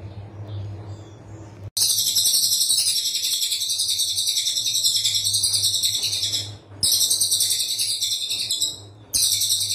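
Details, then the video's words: Brown cililin delivering dense 'tembakan rapat' master song for songbird training: after a quiet start with low hum, a sudden high, rapid buzzing trill runs on for seconds, broken by brief pauses before resuming. "Tembakan Cililin Coklat Rapat"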